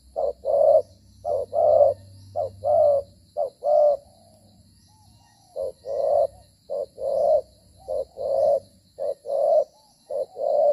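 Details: Spotted dove in the thổ style, recorded while being trapped at dusk on 25 September 2023 during the rainy season near pineapple fields. It coos while moving and fighting. Rhythmic hooting coos come in short-long pairs over about ten seconds, with low rumbling early on.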